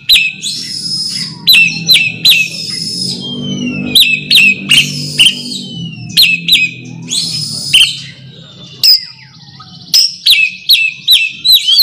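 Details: Rival-calling Oriental magpie-robin delivers rich whistles, buzzy rasps and sharp ticking clicks in rapid, uneven bursts, some notes sliding downward, with short gaps between phrases and a soft low droning hum beneath.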